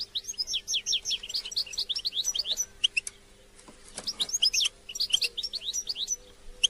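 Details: European goldfinch song aimed at stimulating captive goldfinches: rapid runs of sweet, sliding, high notes in two long phrases, separated by a short pause with scattered clicks.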